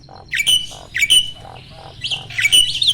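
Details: Mature male Asian pied starling, pumping and ready for breeding: loud harsh squawks with whistled overtones, repeated roughly every half second, with soft low clucks between them and a faint hum behind.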